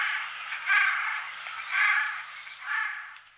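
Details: Eurasian jay in the Wittlicher Tal, 2018, producing a continuous hoarse, grating rasp that rises into three louder pulses about a second apart.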